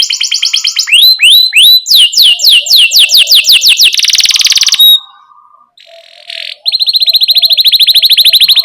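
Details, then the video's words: Canary in full energetic song, used as a tutor for young birds learning to sing: fast repeated downslurred whistles, then a dense buzzy roll, a short pause, and a steady rapid high trill. "Kenari Gacor CUIT Cuit Ngerol Buat MASTERAN Kenari PAUD Baru Belajar Bunyi"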